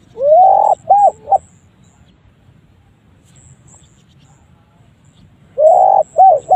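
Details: Spotted dove giving an unusual, strange-sounding call: a phrase of a rising, hoarse coo followed by two short rounded coos, repeated after about four seconds of quiet, with faint high tones in the background.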